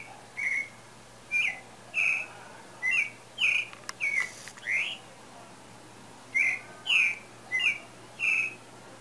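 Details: Pale-breasted thrush singing as breeding season approaches, a steady sequence of about a dozen whistled, sometimes upslurred phrases with a brief click and pause midway.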